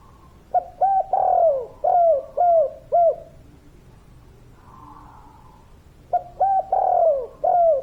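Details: Spotted dove of the kuk 3 type, singing with a dense voice. Two cooing phrases of quick notes and a long falling coo, with a faint soft murmur in the silence between them.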